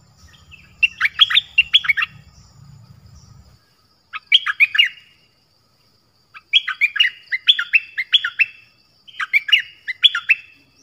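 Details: Nok dok taeng song in the 'double song' style, played to young birds so they learn it and to rouse birds: four bursts of bright chirped, warbling notes sliding down and up, separated by silent gaps, with a low rumble early on.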